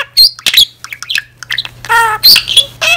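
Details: Pet budgerigar babbling alone in a chatty auntie style: scratchy clicks and high whistled squeaks, then warbled notes with stacked overtones, fast and irregular at roughly three elements per second, over a low hum.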